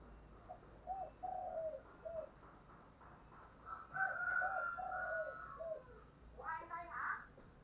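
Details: Spotted dove with a 'giọng thổ' voice style, cooing intensely: several short, low, hollow coo notes in quick uneven groups, then a longer phrase. Higher tonal sounds overlap, with a steady background hiss.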